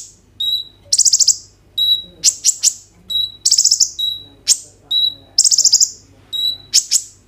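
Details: Phone recording of a kolibri ninja sunbird giving energetic 'roll tembak' song, used to stimulate other birds to sing: repeated piercing whistles and short shimmering trills in quick succession.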